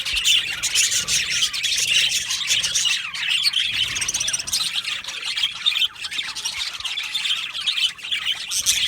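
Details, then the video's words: Budgerigar colony in an aviary, Australian parakeets chattering nonstop: thick layered chirping, warbled twitters and occasional harsh squawks from many birds, steady throughout with slight dips in loudness. "Australian Budgie chirping sounds"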